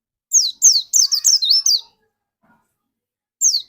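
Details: Pleci dakun white-eye singing in a bright chattering burst: seven quick, high, downslurred chirps run together, a pause, then one more falling chirp. The song is used as a lure to set other white-eyes singing.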